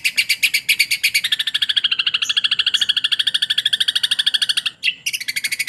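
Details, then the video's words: Long-tailed shrike singing with mimicked sparrow material: a dense, fast stream of scratchy chattering notes, high-pitched and repeated about two or three times a second, with brief breaks near the end. Background is quiet. "cendet pastol mewah materi Greja kereta"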